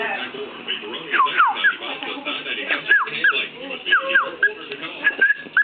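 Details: A pet cockatiel whistles clear, falling notes, repeated in short bursts over soft background chatter.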